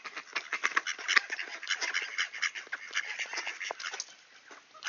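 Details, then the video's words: Several ducks call at a doorway in Sainte-Adèle, Quebec, one clear September morning in 2024, around 18°C; short, harsh quacks tumble over one another in a continuous, excited stream. "Ducks Greeting at the Door"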